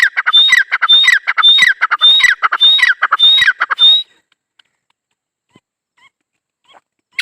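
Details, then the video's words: Partridge (teetar) call starting at once: four seconds of repeated harsh, chattering notes, each with a short high whistle, then near silence with faint distant ticks. "Teetar colling | dakhni teetar Awaz | Teetar partridge sound"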